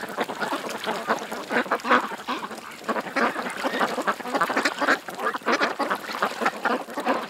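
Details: A crowd of ducks by a creek quacks continuously, the rough calls overlapping in a busy chorus with short louder peaks every second or so.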